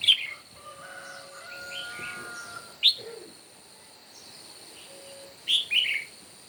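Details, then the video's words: Red-whiskered bulbul in a morning singing contest: short bright whistled phrases spaced a few seconds apart, one early, one in the middle, and a two-part burst near the end. Steady high droning tones and faint lower whistles run beneath. "Chim Chào Mào Hót Đấu Buổi Sáng Cực Căng."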